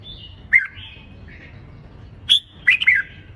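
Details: Red-whiskered bulbul competitive song used for training contest birds; two short bursts of warbled chirps about two seconds apart, with soft whistles running underneath.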